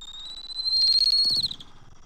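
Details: Bald eagle at a nest on a Saturday morning, January 27, 2024, as the father brings in fish and red meat to feed the eaglet: one thin, high whistled note climbs slowly, holds for over a second, then breaks off with a short flutter.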